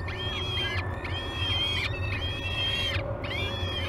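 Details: Peregrine falcon chicks at Great Spirit Bluff nest on 22 May 2020, waking for breakfast at feeding time, captured by a live nest cam: four drawn-out, harsh, wavering cries, arched and slightly falling, over a steady low hum.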